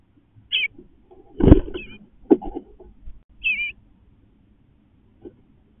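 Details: Eastern bluebird parents and young calling back and forth on fledging day as the chicks leave the nest box; two short, wavering, warbled calls about three seconds apart, with dull knocks and rustling between them.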